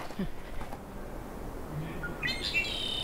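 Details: A male Red-winged Blackbird, red wing patches visible, gives a brief buzzy trilled phrase near a swampy lake in riparian habitat on a Yosemite National Park hiking trail, after a quiet outdoor stretch with faint hikers' voices.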